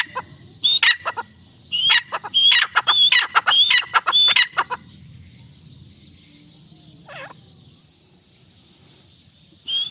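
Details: Francolin, an Irani teetar pair, giving loud, harsh, clipped call phrases with high whistled slurs repeated for about four seconds, then a quiet gap with one faint descending note before calling resumes.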